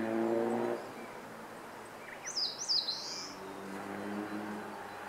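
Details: An Eastern crowned warbler (Phylloscopus coronatus), recorded 26 April 2014, sings one high, thin phrase: two quick slurred notes, then a longer buzzy note, while a vehicle drones and hums in the background.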